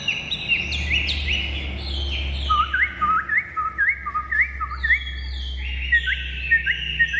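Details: Chinese hwamei, a recently arrived purebred captive bird let loose indoors, sings bright upslurred whistles in a descending run of repeated notes, with a low steady hum behind.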